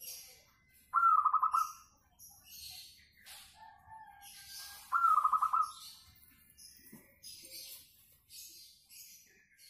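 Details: Melodious local zebra dove, suited as a singing lure: two rapid, trilled cooing phrases about four seconds apart, each a fast run of clipped notes, over scattered high chirps and twitters from other birds.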